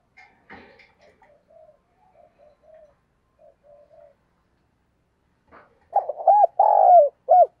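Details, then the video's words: Spotted dove calling to provoke a fight: faint distant coos at first, then a close, loud burst of paired, falling coos near the end. "Cu gáy thúc đấu"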